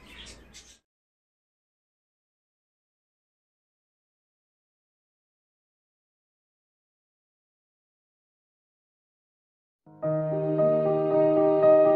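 A brief rustle, then long silence, and finally sustained instrumental music in the last two seconds; no animal calls are heard.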